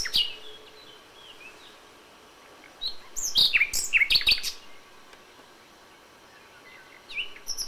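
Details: Common nightingale singing at dawn in May, original sound: mostly quiet gaps, then a short burst of high, rapid, sharp notes near the middle, with a few thin whistled notes at the start and end.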